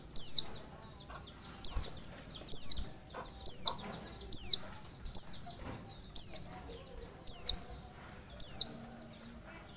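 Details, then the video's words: An Oriental white-eye lure sound: a fast, steady series of about ten sharp, high, falling notes, each around a second apart, over a quiet background. "PANCINGAN PLECI"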